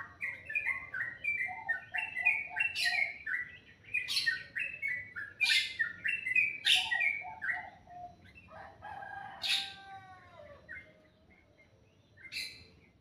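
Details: Bird song heard in the morning, described as very melodious: fast strings of short whistled notes with repeated sharp chirp bursts, later some descending slurred whistles, fading toward the end over a quiet hum.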